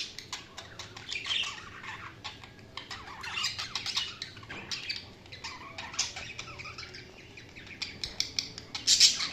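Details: Budgies chirping in a steady stream of scratchy, clicking chatter and short squeaky notes, with a louder cluster of harsh chirps near the end.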